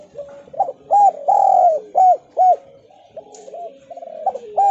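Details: Spotted dove, Javan type, cooing as a lure to make other doves respond; one long drawn coo followed by two short arched notes, then quieter overlapping cooing and a final coo.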